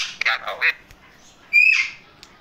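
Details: Pet male Indian ringneck parakeet in a happy mood. A quick burst of raspy, speech-like chatter is followed after a pause by one loud, sharp, rising squawk.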